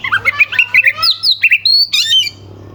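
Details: Oriental magpie-robin in rapid song to provoke rival birds: a fast run of chirpy repeated notes, then high sliding whistles ending in a sharp burst.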